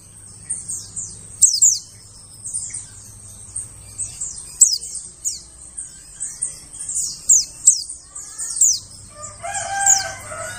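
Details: Forest lure recording of white-eyes: a steady stream of high, thin descending chirps, several overlapping, and near the end a lower, warbling bird phrase joins in.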